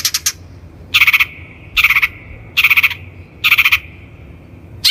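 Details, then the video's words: A long-tailed shrike (Lanius schach), recorded as lure audio for training other shrikes, gives short, harsh, rattling bursts of chatter with a ringing edge, repeated roughly once a second against a quiet background. "THE LONG - TAILED SHRIKE SOUND"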